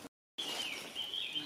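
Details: Eurasian blue tit in Tyniec Forest, Kraków, Poland, on a morning birding trip on 27 April 2024, has stopped singing and gives thin, high contact notes that slide slightly up and down, over faint woodland background noise.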